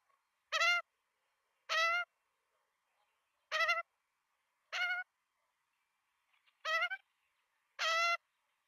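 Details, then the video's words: Begging Australian magpie chicks at feeding time, filmed by nestcam in Melbourne on 23 September 2022: loud, raspy, buzzy squawks, each about a quarter second, six calls spaced one to two seconds apart in an otherwise quiet nest. "Feeding Time 11:53 Australian Magpie chicks"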